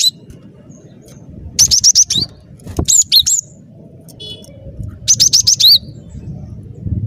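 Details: Cinereous tit singing energetically (gacor), as lure material for trapping: fast trills of four or five high, sharp notes ending in a lower swoop, repeated after gaps, with a faint low hum behind.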